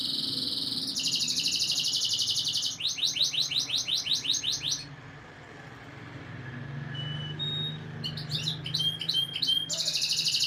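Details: Canary song used for breeding conditioning to stir females' mating instincts: fast, high rolling trills of rapid repeated notes, then a pause with a low hum, then sharp whistled notes and renewed trills.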